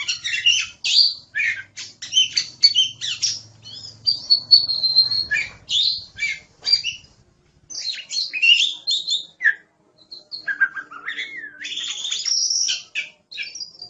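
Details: Oriental magpie-robin (kacer) in full, active masteran song: long fast run of varied chirps, scratchy phrases and a held whistle, a short pause, then swooping slurred notes and more rapid twittering.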